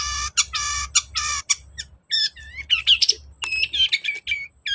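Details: Long-tailed shrike singing, played as a lure for a lazy shrike: harsh, nasal, drawn-out squawks open the phrase, then quick twisting whistles and clipped chirps follow, over a low steady background hum.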